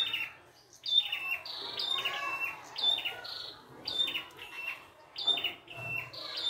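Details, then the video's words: A free-living red-headed prinia sings energetically in varied phrases: crisp chirps with piercing whistled accents repeat roughly every second, with brief quiet gaps between bursts. "PRENJAK KEPALA MERAH GOCOR FULL ISIAN"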